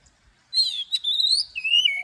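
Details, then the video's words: Oriental magpie-robin in song training, singing its morning forest-voice song with long notes: a buzzy start, then long sliding whistles, rising and then falling, ending with a faint low coo. "Chòe than hót Giọng Rừng Đi Âm Dài cực hay"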